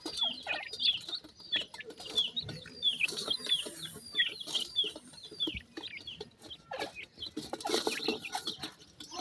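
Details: Sindhi partridge chicks (teetar) in Pakistan: many thin, high, downslurred peeps overlap in quick, uneven runs, with some scratchy rustling underneath.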